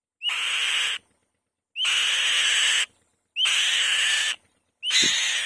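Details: Nesting female white-tailed kite making repeated loud calls: four raspy, hissing screeches of about a second each, every one starting with a brief whistle, spaced roughly one and a half seconds apart.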